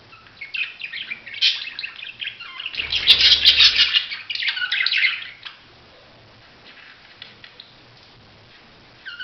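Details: Budgerigar giving a busy run of chirps and scratchy warbling that swells louder in the middle, with a soft thump, then fades to quiet and a last chirp.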